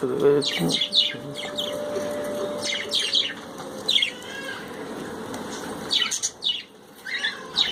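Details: Pet budgerigars bathing chirp in short high bursts, clustered at the start and again near the end with a quieter stretch between, over a low murmur of voices and room noise.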